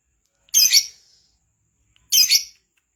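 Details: Lovebird, kept to sing keenly, giving two rough, grating high double-pulsed squawks about one and a half seconds apart, clean silence between.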